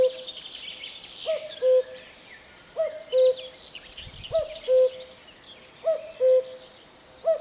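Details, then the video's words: Clear low two-note calls from a cuckoo, high then low, repeating about every one and a half seconds, with busy chirping of other birds behind. "Voice of Cuckoo"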